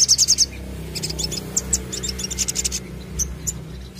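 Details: Crested jay call used as a lure, opening with a short burst of rapid high clicks, followed by looser, irregular high chattering notes and a couple of separate sharp chips near the end.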